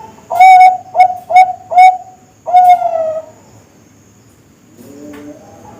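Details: Bangkok-type zebra dove, a young bird of breeding and contest stock, cooing four short whistled notes in quick succession, then one longer note that fades away, followed by quiet with a faint low hum.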